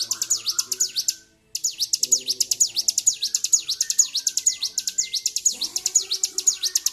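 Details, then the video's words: Bar-winged prinia in an excited, agitated state, calling persistently: fast repeated high, thin V-shaped chips, about two per second, broken by one brief pause, then resuming steadily over faint low background sounds. "CIBLEK GACOR || PANCING EMOSI BURUNG CIBLEK"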